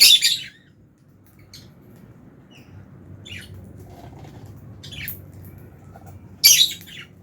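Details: Fischer's lovebirds in an aviary colony with albino lovebirds, chirping while eating food; short bright high chirps at the start and near the end, with scattered softer squeaks between over a low hum.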